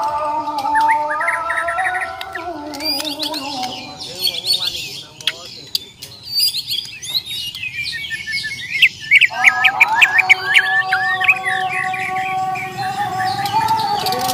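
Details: Challenge song of a fighting Bornean white-rumped shama: bursts of fast twittering and sharp slurred whistles, a brief near-silent pause, then more intense chattering phrases, with a low steady hum throughout.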